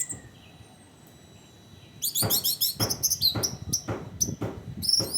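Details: Orange-headed thrush singing as a training lure: after two quiet seconds, a fast jumble of high chirps and mimicked notes with sharp clicks, several per second.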